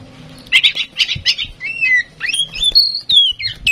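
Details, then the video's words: Tame, freely singing female oriental magpie-robin, used to stimulate other birds, opening with rasping buzzy chatter notes, then switching to clear whistled phrases that slide down and rise again in a flowing sequence. "Kacer Gacor jinak cocok untuk pancingan Kacer bahan"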